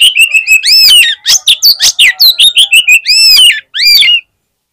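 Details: Fighter Oriental magpie-robin at a bird song contest sings a continuous rapid run of sharp metallic notes interleaved with rich arched, rising-falling whistles, loud and steady throughout with a short pause near the end.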